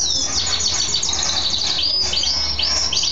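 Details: Pet mule goldfinch hybrid, male, in full song after bathing; fast, bright, high-pitched twittering with quick trills and chattering notes delivered continuously, over a faint low hum.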